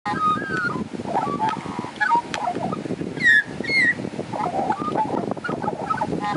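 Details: Australian magpie, one of two waiting for lunch right outside a door on 15 June 2013, gives short fluting, warbled whistles that rise and fall, with a brighter double note midway, over steady rustling, crackling background.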